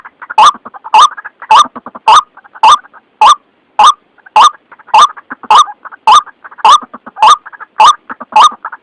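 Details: White-breasted waterhen lure call used for trapping: loud, harsh, croaking notes repeated steadily about every half second, each a short rasping burst, with softer chattering notes between them.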